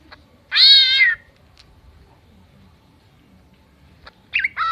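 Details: A greater green leafbird imitating a cat gives one long, harmonic meow that falls slightly in pitch. Near the end come two short, sharp notes, and faint low background noise runs throughout.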